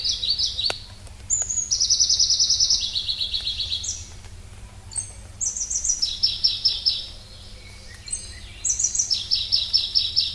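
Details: Pallas's leaf warbler singing high, rattling trills that switch pitch between phrases, with thin, very high whistled notes between them; trill bursts of about two seconds recur several times over a low steady background hum.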